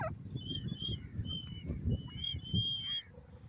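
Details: A Black Francolin, in Asian wildlands, gives a run of loud, high, slightly nasal notes, strung together in quick phrases, over a steady low rumble.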